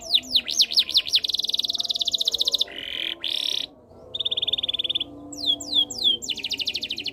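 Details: Canary song mixing rapid swooping notes, a long metallic pulsed trill, two low buzzy bursts, a steady lower rolling trill and a final series of sweeping whistles into a quick trill.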